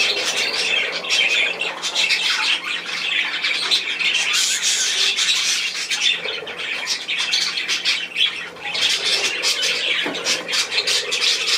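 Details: Several budgerigars chatter nonstop in a small room: a thick wash of high, scratchy chirps and warbles that swells and dips every few seconds.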